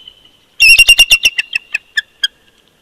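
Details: Wild bald eagles at a Big Bear Lake, California nest on an old snag, a winter duet picked up by a live nest camera: one fast burst of shrill, piercing chirps that slows and fades into spaced, falling squeaks.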